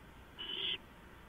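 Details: In a nest box fitted with a camera, three owls together at 4:45 AM, 6 April 2015: one drawn-out, breathy screech lasting under half a second, even in pitch, against a constant low electrical hum.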